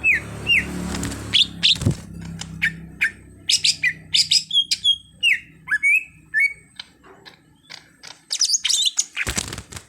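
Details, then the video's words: Greater green leafbird, a raw bird being trained to sing freely, gives a run of loud, clear whistled notes, some sliding down and some sweeping up, mixed with sharp clicks and brief chattering bursts. "Cucak Hijau Bahan jadi Gacor"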